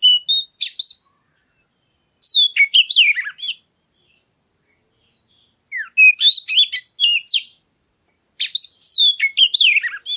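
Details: Oriental magpie-robin song meant to provoke other birds to sing: four separate bursts of bright whistles, down-slurred notes and quick chirps, each lasting one to one and a half seconds, with clean silence between them.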